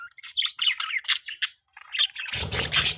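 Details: Morning budgerigar chirping: quick sequence of short squeaky chirps and warbles, then harsher chatter mixed with low rustling.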